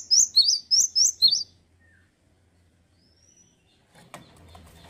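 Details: Indonesian male cinereous tit giving a short burst of five sharp whistled notes, high then lower, before falling silent; afterwards soft wing flutters and low rumbling handling noise.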